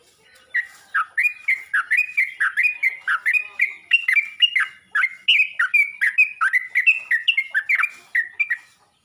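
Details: Yellow-vented bulbul calling other bulbuls in a long, steady chatter of bright, bubbly chirps, roughly three per second, slurring up and down, continuing for nearly nine seconds without pause.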